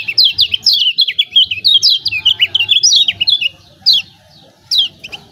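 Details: Lemon-bellied white-eye of Lombok lure song: a fast stream of bright zigzagging high chirps for about three and a half seconds, then two isolated sharp notes after pauses.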